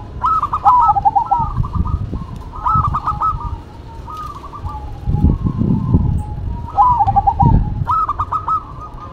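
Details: Two zebra doves, a local bird and a cemani bird, sing in duet: rolling, trilled coo phrases in a mid-pitched band, given about every two seconds and sometimes overlapping, with low rumbling thumps of background noise between phrases.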